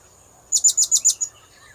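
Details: Series of six piercing, high-pitched chirps from a blue-crowned hanging parrot, a sound used to lure birds, delivered rapidly and evenly over about three quarters of a second, with faint softer calls behind.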